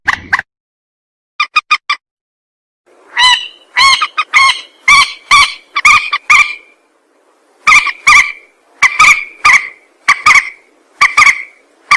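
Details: Rail call for use as a trapping lure: loud, harsh, nasal notes delivered in quick bursts, at first short clusters, then longer runs of strident repeated calls, separated by brief silences.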